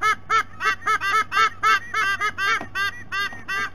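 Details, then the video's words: Adult white-bellied sea eagles calling at their nest, captured by a nest camera at Sydney Olympic Park, Australia: a rapid, steady series of loud, nasal, goose-like honks, about four per second, over a low constant hum. "WBSE - Adults vocalizing"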